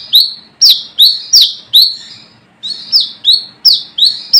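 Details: Forest brown-throated sunbird giving its rival-summoning call, suited for luring birds. About eleven sharp, high, swooping notes come in two quick bursts split by a short pause, each note ringing briefly before the next.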